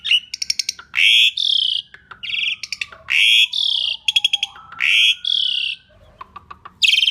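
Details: Asian pied starling singing loudly, song used as a lure for other birds: repeated harsh rising buzzy bursts with rapid clicking stutters between them, and a faint long descending whistle underneath.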